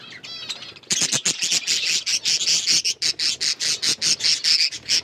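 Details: Hand-tame pet budgerigars chirping: after a few faint warbled notes, a dense run of rapid, buzzy, high chirps repeated about twice a second, harsh and scratchy, continuing steadily to the end.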